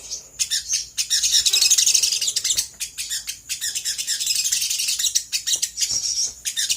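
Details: Sooty-headed bulbul's rapid, excited lure song, used to get other birds to respond: a nearly continuous high chatter, around four notes a second, with a brief pause partway through.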